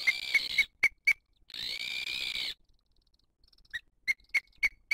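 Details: Booted eagle at a nest in 2023, mother feeding the chick while other birds attack her; short high piping notes in quick groups, then a burst of hissing noise, followed by more evenly spaced sharp whistles.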